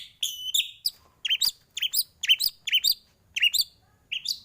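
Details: White-rumped shama singing energetically, a full varied fill-in song used as a training recording for other birds: bright, sharp whistled notes with bouncing, chattering accents, delivered in quick bursts separated by short pauses.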